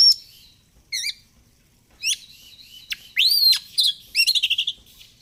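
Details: Oriental magpie-robin giving varied, energetic song of sharp upswept notes, a looping whistled phrase and a fast rattling series of about six repeated notes at the end.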